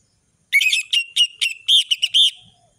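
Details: Orange-headed thrush giving a rich song phrase: a rapid series of about eight bright, slightly buzzy whistled syllables, loud and steady, lasting around two seconds.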